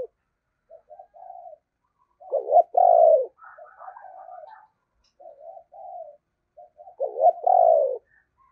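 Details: Decoy spotted dove cooing in the 'giọng thổ' voice style. Two phrases each start with soft, short, mellow notes and build to a loud, deep double coo. Fainter, higher cooing notes follow the first phrase. Background is quiet.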